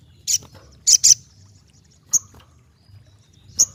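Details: Ruby-cheeked sunbird giving sharp, very high chip notes, first a quick cluster of three, then two isolated chips spaced more than a second apart.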